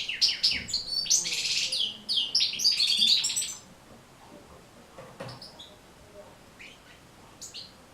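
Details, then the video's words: European goldfinch song played to train goldfinches to sing: a dense burst of fast, jangling twitters and trills for three and a half seconds, then only sparse faint chirps over background hiss. "بتبتة جد مهمة لتحفيظ و تحفيز طيور الحسون على التغريذ"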